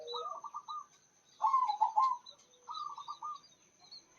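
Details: Vigorous song of a local zebra dove: back-to-back rippling coo trills, the middle phrase loudest and most stuttered, over thin high chirps of other small birds.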